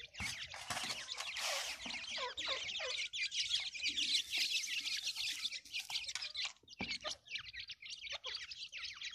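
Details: Grey francolin chicks being fed produce a dense, rapid twittering of high peeps, roughly two per second standing out, swelling and fading in waves, with soft lower clucks beneath.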